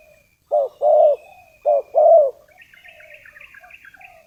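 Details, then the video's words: Decoy spotted dove luring wild doves: four low coos, two short and two longer, in paired rhythm, followed by soft twittering of small birds and a thin high whistle. "suara tekukur pikat, memanggil tekukur liar."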